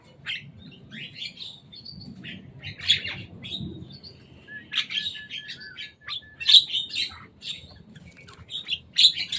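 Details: A Javan myna visiting the top of a cage chatters in uneven bursts of sharp chirps and short whistles, some notes wavering, separated by brief pauses over quiet low background noise.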